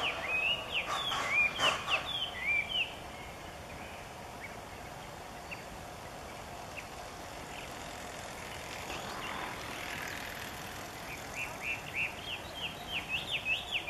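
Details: Chinese Hwamei singing loudly in the morning near Niiharu Citizens' Forest, Japan, as if practising its voice: bursts of rich, varied whistled phrases at the start, quieter notes in the middle, then a rapid run of repeated sweeping whistles toward the end.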